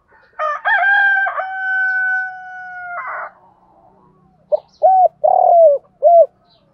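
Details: Morning decoy calling of a spotted dove to lure males: a rooster crows loudly for the first three seconds, then the dove gives a clear phrase of short coos around one long falling coo.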